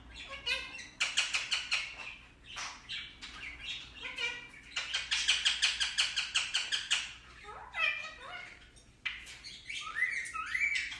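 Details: Pet Indian ringneck parakeet talking at length: dense, rapid, raspy chattering in pulsed runs, broken by gliding speech-like notes and a rising squeak near the end.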